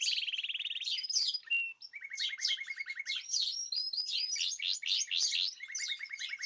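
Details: Caged birds singing as a group, kept with varied natural food; loud continuous song mixing rapid trilled rattles, high twittering phrases and sweeping whistles, with steady repeated buzzy trills returning at the end.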